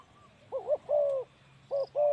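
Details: Male spotted dove used as a ground decoy in trapping, giving loud, low hollow coos: a wavering double note, then a long steady note, repeated after a pause, over faint background hum.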